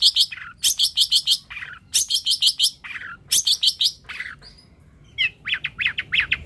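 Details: Long-tailed shrike, called pentet or cendet, delivering rapid bursts of bright chattering notes ending in falling slurs, then a pause before softer repeated chips.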